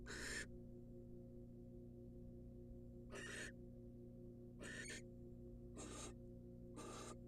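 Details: Wild barn owl female in a research-monitored nest box, given a rat by the male: sparse harsh hissing bursts separated by pauses of one to three seconds over a faint electrical drone.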